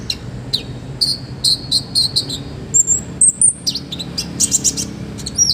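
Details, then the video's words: Master song of an olive-backed sunbird in top form, rich in fill-in phrases, used to train other birds: a run of repeated high, level chirps, then piercing thin whistles and quick chattering notes. "MASTERAN KONIN GACOR FULL ISIAN MEWAH KOMPLIT BUAT TERAPI BURUNG LAIN"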